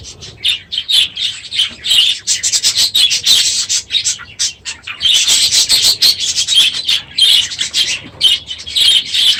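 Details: Aviary crowded with budgerigars at the end of the breeding season, loud in the morning: sustained shrill chattering and chirping from many birds, swelling and easing in waves.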